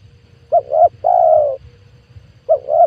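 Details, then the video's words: Spotted dove lure call used to attract wild doves for trapping: two short, quick coos run into a longer, steady coo, and the phrase starts again after about two seconds over a faint low hum. "PANGGILAN TUKUKUR PIKAT 2022 COCOK BUAT PANCINGAN TEKUKUR LIAR"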